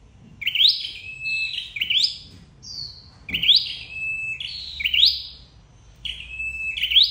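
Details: Red-headed flowerpecker trapping lure: repeated ringing whistles that rise sharply, then level off high, about six phrases in seven seconds, with a brief click and low hum behind.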